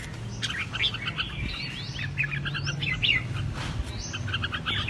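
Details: Red-whiskered bulbul kept in a cage, singing in fighting-song style: lively run of clear chirps and slurred whistles in rapid clusters, a few upward-sweeping notes, against constant low-pitched background hum.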